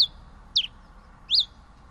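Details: Pileated finch uttering three loud high chirps, one slurring downward and one arched, spaced over two seconds; otherwise quiet hiss.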